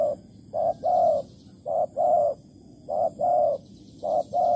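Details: Spotted dove calling in Malaysia at a bird trap baited with plain food: repeated low hollow coos in groups of two or three, a short note followed by a longer slightly falling one, each group about every 1.2 seconds, with faint steady background hiss.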